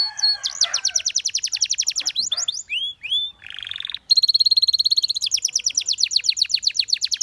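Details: Singing canary: rapid chattering trills open the phrase, followed by a few arched slurred whistles and a low rolled buzz. A bright sustained tone then gives way to quick repeated trill notes, with no other sounds.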